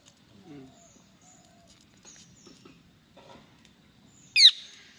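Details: Indian ringneck parakeet, kept as a talking pet parrot: faint soft chatter and murmurs, then a single loud, harsh, brief screech near the end.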